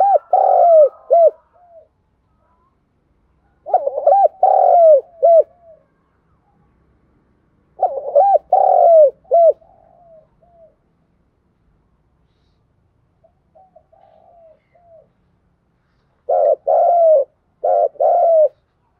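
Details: Spotted dove giving its morning coo: four strong phrases of rolling, low-pitched coos, each about two seconds long and separated by quiet gaps, with a few soft murmured notes between.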